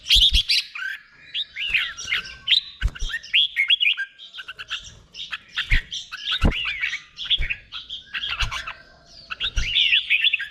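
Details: Red-whiskered bulbul kept caged in Thailand, singing slow, clear 'beon' doubled song intended as a model for other birds. Continuous lively warbling of short looping whistles and chirps, punctuated by scattered low taps.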